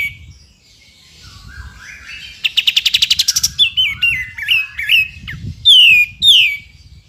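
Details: Sooty-headed bulbul in full song, used for tutoring shamas: soft opening notes, then a fast rising rattle of about a dozen clicks, a series of stepped wavering whistles, and two loud downslurred whistles.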